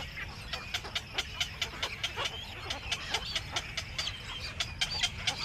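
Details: Black-crowned night herons back at their nest in the evening give harsh, clucking chatter, short rough notes tumbling out two or three a second, over a low background hum.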